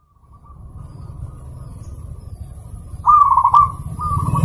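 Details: Zebra dove song played to prompt silent birds to sing: a faint steady cooing line, then a loud rolling, bubbly coo phrase followed by a softer continuation, with a low droning hum underneath throughout.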